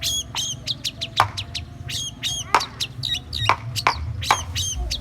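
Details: Long-tailed shrike in Indonesia, a strong singer performing goat-imitation material: short harmonic bleat-like notes repeated in quick succession, mixed with sharp clicking notes and a low background hum.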